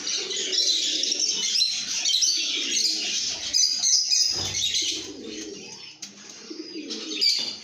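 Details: Lovebirds in a happy, good mood, singing and chirping: dense, continuous high twittering and chirps from many birds, with low cooing notes underneath in bursts, and a brief lull near the sixth second.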